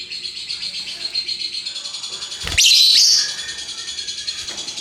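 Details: Colourful lovebird delivering an active ngekek: a continuous fast high-pitched trill with one loud grating screech in the middle, then the chatter goes on.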